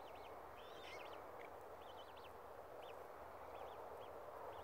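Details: Australasian swamphen chicks at Tamar Island Wetlands, 26/10/18, giving thin, high peeping calls with a quick up-down zigzag, in short runs of two or three, over a steady broad rushing background.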